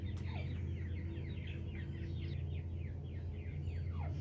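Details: Grey francolin chicks with an adult in Punjab give a rapid stream of thin, high, downslurred peeps that overlap one another, over a steady low rumble.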